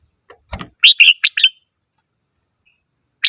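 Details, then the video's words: Red-whiskered bulbul giving a rapid phrase of four bright chirped notes, preceded by a soft low thump, then a single note after a pause. "chim chào mào hót - tiếng chim chào mào hót"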